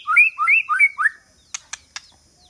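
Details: White-rumped shama, a decoy used to attract rival birds, giving four quick repeated two-part whistled phrases, followed by three sharp loud clicks.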